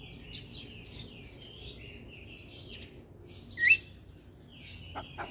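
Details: Starling song used as a lure and therapy recording to coax silent starlings into singing: thin, scratchy high whistles and chatter in loose phrases, with one louder squeaky note near the end, over quiet background hiss.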